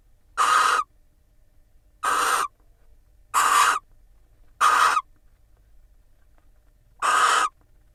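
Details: Incubating female barn owl and mate preening each other inside an Israeli nest box in March; five rasping hiss-screeches at uneven intervals, with a longer gap before the last.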